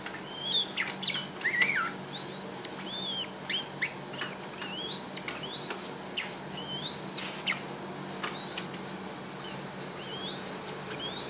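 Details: A pet red-whiskered bulbul, adopted as an orphan, sings and dances happily while being massaged, giving bright, arched whistled notes in quick bursts, several every second, with soft clicks and rustling close by.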